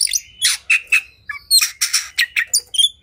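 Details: Emotionally charged, fight-ready oriental magpie-robin giving loud harsh buzzy bursts spaced by short whistled notes, the rasps repeated several times a second.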